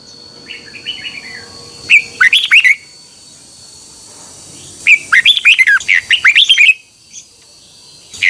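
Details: Red-whiskered bulbul singing its morning training song, a model for training birds: soft warbles, a short loud burst, then a longer run of rapid, chattering whistled notes near the end, over a faint high hum.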